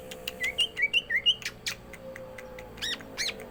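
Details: Cucak ijo, the green leafbird, in 'gacor isian' form: a fast run of five bright rising whistles, then buzzy chattering notes and clicks against a low background drone.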